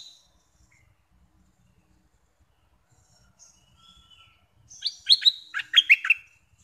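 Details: Bulbul used as a decoy bird for trapping, freshly caught, with a brief burst of sharp, high chirping notes in quick succession after a quiet stretch.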